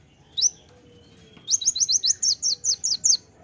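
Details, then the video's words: Kolibri ninja (konin) song in a sharp, full-tembakan style: a lone high chirp, then a rapid run of about ten sharp, high, downslurred notes; a faint low whistle runs in the background. "masteran kolibri ninja (konin) gacor full tembakan suara tajam"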